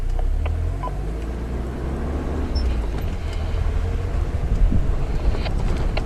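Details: A vehicle's engine rumbles continuously on a safari drive, with a few faint clicks and no animal voices.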